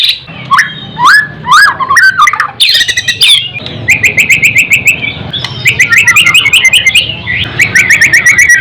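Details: White-rumped shama singing a rich, varied song: looping whistles and slurred notes, then rapid trilled runs of repeated notes, with sharp clicks and a low background hum.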